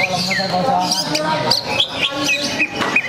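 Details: Greater green leafbird at a songbird competition event, fanning its tail while singing, giving quick, bright chirps and short whistled slurs, some rising, some falling, over a steady murmur of people talking.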